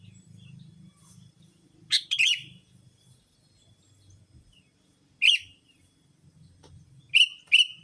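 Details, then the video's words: Lure call of the sooty-headed bulbul, played to draw in other bulbuls: a few scratchy, bright chirps, some doubled, separated by quiet gaps, with faint low rumble early on. "Suara Burung Pikat Kutilamg Masteran Paling Cocok Semua Jenis Burung Kutilang"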